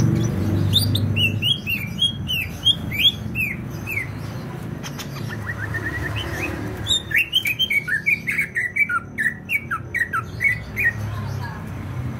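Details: Greater green leafbird from Banyuwangi, East Java, singing vigorously: bursts of bright, quick chirps and short rising-falling whistled notes, with a pause in the middle, then a faster run of sharp repeated notes over a low background rumble.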